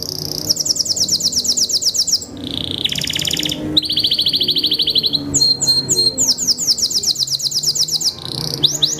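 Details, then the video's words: Belgian Bossu canary, a hunched-posture contest breed, singing rapid high trills of repeated notes, then a short lower rattle, a buzzy run and bright whistled rising-falling phrases, delivered nonstop and loud with faint low background hum. "Kenari BELGIE BOSSU : Postur kecil tapi kalo udah bunyi keren abis mewah"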